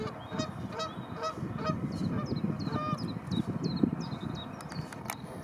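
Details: Dozens of Arctic geese with their chicks among millions of white flowers; a flock gives rapid overlapping nasal honks, about two per second, above a low rumbling background, with sharp high chirps from smaller birds.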